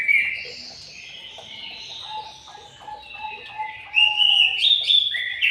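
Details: Aviary white-rumped shama singing soft warbles over a line of short repeated lower notes, then bursting into loud, clear rising whistles near the end.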